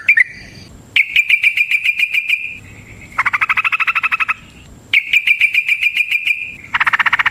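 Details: Rolling ropel fighting song attributed to a Yellow-vented bulbul: long buzzy trills of fast repeated clipped notes, each lasting a second or more, alternating between a thinner higher rattle and a fuller, lower chattering roll.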